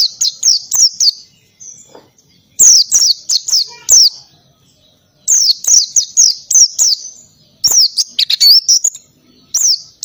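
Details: Oriental white-eye in the ngalas singing style, with canary-like bursts, kept as a training recording: rapid series of sharp, high, down-slurred chirps in dense bursts separated by short pauses, very loud and busy.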